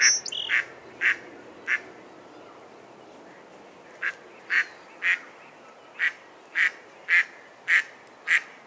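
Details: Mallard giving harsh quacks: a quick burst of three or four at the start, a pause of about two seconds, then a regular run of nine quacks roughly every half second.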